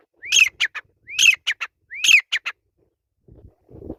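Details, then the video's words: Grey francolin calling: three loud phrases about a second apart, each a rising upslurred whistle into a harsh, ringing burst followed by two or three shorter clipped notes, then faint low rustling. "Teetar ki Awaz |Grey Francolin Voice"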